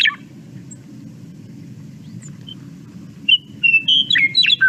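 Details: Western Meadowlark breeding-season song in grassland: a few clear, flute-like, hollow-sounding whistles, then a quick, bubbling run of notes tumbling downward, over a low hum.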